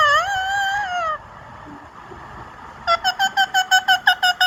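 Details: Indian ringneck parakeet holds a long, wavering, slightly rising whistled note, falls silent, then bursts into a fast even run of short harsh calls.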